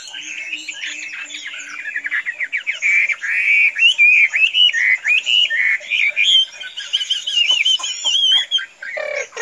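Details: Chinese hwamei, tame enough to be released and not fly away, sings long rolling strings of loud whistled and warbled notes. The phrases run in quick pulses, with a few low clicks near the end.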